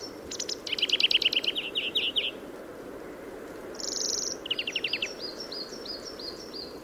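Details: European greenfinch singing in Córdoba: rapid rattling trills of repeated chirps, a drawn-out nasal buzzy wheeze, then more trills and a series of short thin whistled notes, over faint steady background noise.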